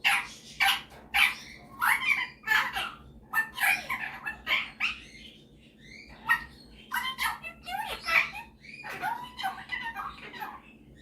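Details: Pet male superb parrot singing and mimicking indoors, a busy mix of short harsh notes, chirps and brief whistles in quick clusters, with a quieter gap midway.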